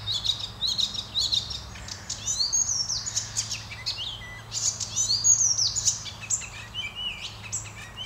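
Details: An Icterine warbler in Norway sings a fast, unbroken medley of high, varied phrases, with chattering, squeaky and whistled notes tumbling together over a faint background hum.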